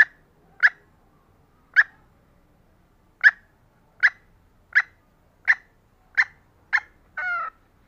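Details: Female green junglefowl calling to entice males: about nine sharp, clipped notes at uneven intervals of half a second to a second and a half, ending in a longer, nasal, honking note.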